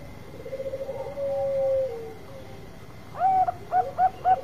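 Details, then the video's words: Bangkok-type zebra dove, a long-voiced bird kept as a lure to provoke other birds: a rippling trill runs into a long level coo, then after a pause a series of short, hooked, bubbling coos, four in quick succession. "Perkutut Bangkok Suara Panjang Cocok Buat Pancingan"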